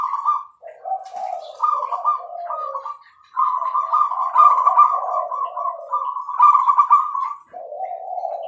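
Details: Bangkok-type zebra dove singing actively: dense overlapping bursts of rapid staccato cooing with lower purring notes, nearly continuous throughout.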